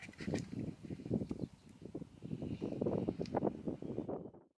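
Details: Vultures, including a small hooded vulture, squabble on day three at a lion kill as a dominant bird is driven off, giving low, harsh grunts and hisses in quick, rough, overlapping bursts with no steady rhythm.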